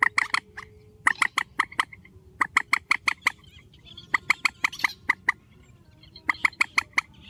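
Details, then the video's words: Grey-headed swamphen, a strong call in a spliced recording: bursts of three to six sharp, clipped, nasal notes in quick succession, separated by short pauses, over a faint low hum. "Tiếng trích TRÍCH GHÉP SỐ 4, tiếng trích mạnh"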